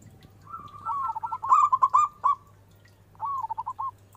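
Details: Zebra dove of a local strain delivers a long, loud phrase of rapid, stammering coos building in strength, then a shorter bubbling phrase after a pause, over a low steady hum.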